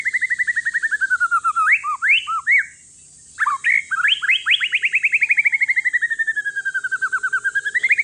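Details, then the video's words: Singing to prompt reluctant shamas, a one-year-old male white-rumped shama of Aceh forest lineage delivers loud rapid trills, with sweeping upslurred whistles broken by a brief silence, before a long fast trill dips and climbs again. "Si paling ribut murai trah hutan aceh COCOK UNTUK PANCINGAN"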